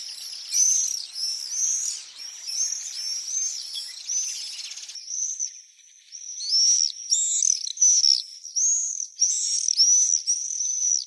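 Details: Common swifts giving shrill, buzzy screams that overlap in rapid bursts, several birds calling together, with short pauses between rising and falling scream sequences.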